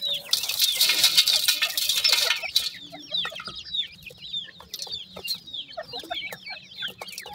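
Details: Newly hatched grey francolin chicks: a loud hiss of broadband rustling for the first two seconds, then a busy chorus of thin, high, downward-slurred peeps repeated rapidly and irregularly by several chicks.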